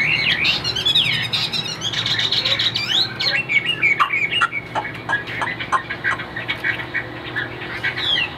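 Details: White-winged, white-tailed caged Chinese hwamei in full high song, opening with sweeping whistled slides and buzzy bursts, then breaking into sharp clipped notes about three a second, against a faint hum.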